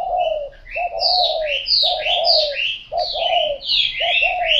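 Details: A spotted dove gives low, soft, mellow coos in short phrases about once a second, over high twittering chirps from small birds nearby.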